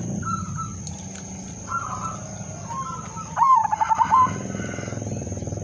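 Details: Zebra dove (perkutut), udanmas silver, singing to prompt other zebra doves: faint cooing and low background rumble at first, then one loud, pulsed cooing phrase near the end, under a constant high-pitched tone.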